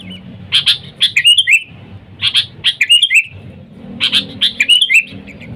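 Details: Sooty-headed bulbul calling to wild birds, a sound for attracting bulbuls. Three bursts, each a few crisp ticks followed by a cheerful tumbling warble, repeated about every one and a half seconds.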